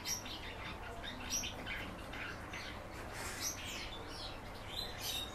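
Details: A kept common house martin sings a busy run of scratchy, high chirps and quick trills, rising and falling in short bursts over about five seconds, with faint low hum behind.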